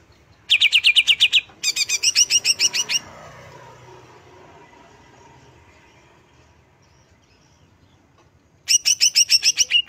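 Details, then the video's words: Greater green leafbird singing two quick bursts of rapid, evenly spaced chirps, a long quiet gap with soft background hiss, then another fast volley of high repeated notes. "Relaksasi pembangkit emosi cucak hijau"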